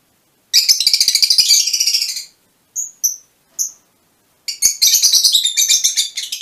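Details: Mutation Fischer's lovebirds chatter in rapid shrill scratchy notes, pause for three short whistled chirps, then burst again into fast harsh chattering.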